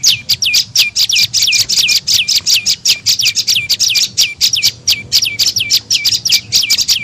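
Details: Prenjak lumut tailorbird lure call meant to attract birds: a fast, steady series of high sharp notes, each sweeping down and ending in a brief low flick, repeated without pause.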